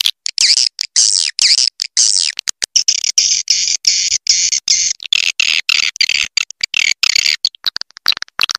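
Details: Swiftlet; lure call; attracting swiftlets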